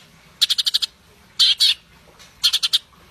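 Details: Grey-cheeked bulbul (cucak cungkok), kept songbird, singing in bursts: a quick run of five sharp chattering notes, a pause, two thicker harsh notes, then another fast four-note run.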